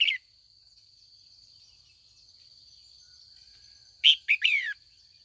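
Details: Female red-whiskered bulbul calling in the afternoon to goad old wild-caught males into fighting song: a short note at the start, then near the end a quick phrase of bright notes sliding downward, over a steady high whine.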